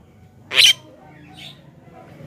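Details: Javan myna (Acridotheres javanicus) call used to lure wild mynas: a loud, harsh, rasping screech, then a fainter scratchy note and the start of another harsh burst, over a faint low background hum.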